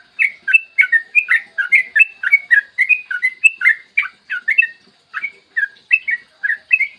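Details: Yellow-vented bulbul in a long, lively morning song recorded as a lure to make other bulbuls sing: evenly paced bubbly chirps and slurred whistles, about three per second, with a short pause near the end.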